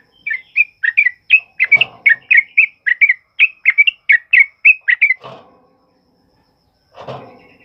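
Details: Loud sooty-headed bulbul ropel song for tutoring other birds: a quick run of bright, slurred whistles, interrupted by rustling bursts and a short silence near the end.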